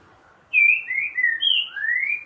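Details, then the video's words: A true trinca-ferro, the Green-winged saltator, delivers its 'boca mole' song style: a rich run of sliding whistled notes, descending glides followed by a long rising final whistle. "Trinca ferro boca mole"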